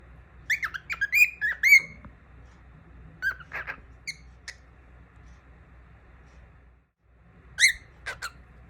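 A young cockatiel sings bright, chirpy whistles and short squeaky notes in irregular bursts, with a quiet pause before a final flurry over a low room hum.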